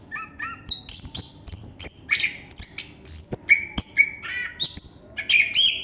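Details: Non-stop ngerol song of a chestnut-capped thrush: a fast, varied string of piercing whistles, trills and harsh chirps, phrases running almost without pause, loud and bright against a quiet background.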